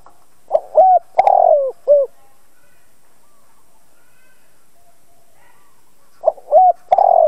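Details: A decoy spotted dove calls to provoke other doves into cooing. It gives a phrase of short low notes around a long rough coo, then a quiet stretch before another phrase starts.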